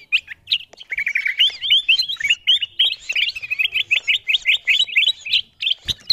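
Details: Lure sound of the kutilang emas bulbul for calling in wild birds. Rapid chattering whistles pour out almost without a break, sharp upslurred notes repeated several times a second, bright and busy throughout.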